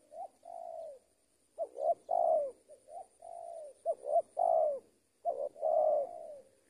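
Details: A spotted dove, in a lure recording, gives soft, mellow coos in quick bursts, each ending in a drawn-out falling note. The bursts repeat every second or two, with nothing else clearly audible.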